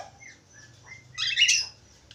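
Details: Budgerigar singing, described as a lively, chatty bird: faint thin whistles drift in, then a loud harsh burst of scratchy chatter swells and fades over half a second.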